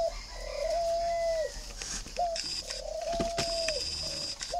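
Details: Spotted dove giving steady low coos: long, even, mellow notes, each tailing off downward, separated by short clipped notes, with faint background hiss.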